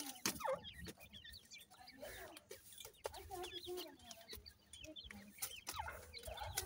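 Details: Many grey francolin chicks feeding call together in dense, overlapping high peeps and twittering, punctuated by sharp knocks and some low rustling.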